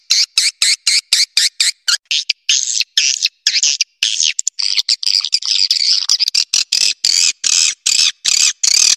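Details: Swiftlet lure sound played to draw in swiftlets: fast, high buzzy chirps in quick bursts, a stretch of continuous raspy chattering in the middle, then evenly spaced loud buzzy pulses toward the close.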